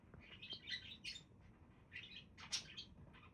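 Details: Budgerigars chattering: quiet, scattered high chirps and short warbled notes in loose clusters, with a brighter burst near the end over soft background hiss.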